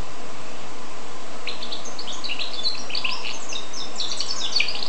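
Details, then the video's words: Goldfinch x canary hybrid singing: from about 1.5 seconds on, a quick run of high, twittering and trilled notes, some sharply rising, continuing to the end over a steady low background hum. "carduelis carduelis x canaria"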